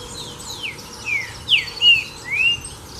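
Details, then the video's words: Song of a green-winged saltator, style "Sou Terrível": rich whistled notes, first falling slurs then a rising one, about four in under two seconds, loud and clean against quiet background with faint higher chirps. "Terrível o Trinca Ferro de Canto Sou Terrível Top!!!"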